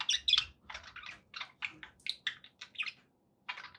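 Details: Budgerigars kept as pets give quick, buzzy chattering notes in short separate bursts, roughly three or four per second, with a brief quiet gap before the chatter resumes.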